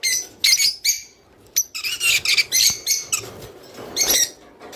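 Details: Rice finch song intended to stimulate mating: a few sharp high chirps, a pause, then a run of quick twittering notes and clicks fading into softer calls.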